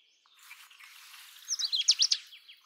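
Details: Indian robin singing: after a soft hiss, a quick burst of sharp, high chirping notes for under a second, bright and slightly slurred, then fading away.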